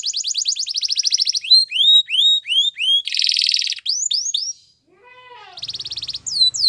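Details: Belgian canary song: quick buzzy trills and swooping high whistles, a dense rattling burst, then a pause with softer descending notes before another buzzy trill and a final chirp.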